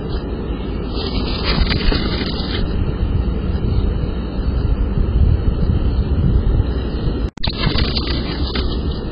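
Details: Loud, steady roar of an aircraft engine with wind on the microphone and a brief dropout near the end; no animal voices stand out.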